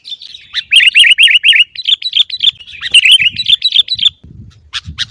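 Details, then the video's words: Caged sooty-headed bulbul, known locally as kutilang, used to coax other birds into song: a fast run of bright, slurred chattering notes repeated several times a second, then scattered sharp chips and light background thumps. "masteran Burung Kutilang Agar Cepat Bunyi Dan Gacor"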